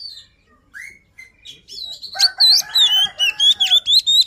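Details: White-rumped shama (kacer) luring song, a continuous rapid run of high whistled, sharply inflected notes, loud and chattering from the second half on, preceded by softer scattered chirps.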